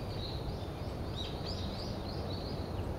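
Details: A male Yellow-throated Bunting gives a run of thin, high, slurred chirps over about two seconds, above a steady low rumble of background noise.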